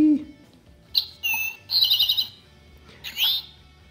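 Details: Eastern towhee, a small black, white and orange bird: two sharp, high introductory notes, then a quick buzzy trill like "drink-your-tea", followed by a slurred, rising "tow-hee" call, over a faint low hum.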